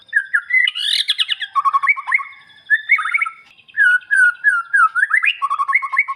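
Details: Lure song of a white-rumped shama for coaxing a quiet bird to sing back. A dense run of whistled notes, buzzy squawk-like bursts and quick looping trills, with brief pauses between phrases.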